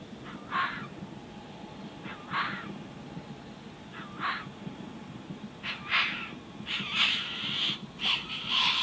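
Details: A young tawny frogmouth (Podargus strigoides) chick being fed by a single parent in a Greensborough, Melbourne back yard in January gives short, harsh, raspy calls about every two seconds, then faster clustered bursts, over low hum; finding: Tawny frogmouth.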